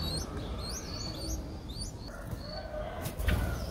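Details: Six-day-old Streak-eared Bulbul nestling from Ubon Ratchathani, Thailand, 8 April 2023: quick high rising whistled squeaks in the first half, then quieter notes and a soft rustle or flutter near the end.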